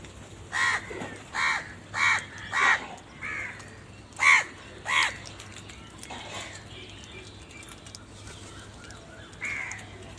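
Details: Crow cawing in a quick string of seven harsh notes, then falling quieter with one more distant caw near the end.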